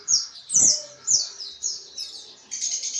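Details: White-eye (pleci) giving ngriwik-style chatter, used as therapy to train other pleci: high thin twittering bursts sliding downward, about five phrases separated by short pauses, ending in a denser trill.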